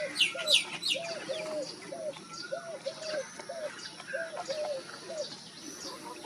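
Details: Wild dove cooing: repeated short, rounded coo notes about every half second through the whole stretch, with a burst of high chirping from other birds at the start and soft outdoor hiss.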